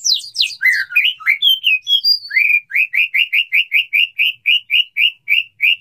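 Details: Male white-rumped shama calling a female in courtship, starting with tumbling whistles and ending with a steady series of identical rising chirps, about three per second.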